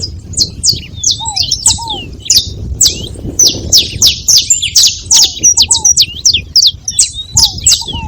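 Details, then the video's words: A group of saffron finches noisily chirping together, quick high downslurred chips tumbling over one another, with occasional lower curved whistles and light background hum. "Canário da terra junto fazendo barulho"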